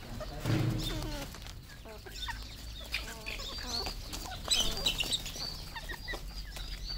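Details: Red junglefowl on a farm in Cambodia: short harmonic clucking notes near the start and again midway, set against a busy background of thin, high chirps and twitters from many other birds.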